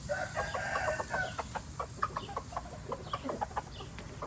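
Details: Red junglefowl from Laos producing dense, uneven clucking, short clipped notes tumbling over one another at first, then spacing out, over a low rumbling background.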